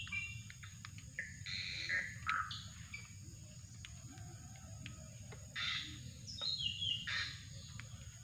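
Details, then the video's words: Drongo calling as a lure for catching birds: bright chirps, quick downward-sliding whistles and sharp clicks come in uneven bursts over a constant low hum. "mikat burung srigunting"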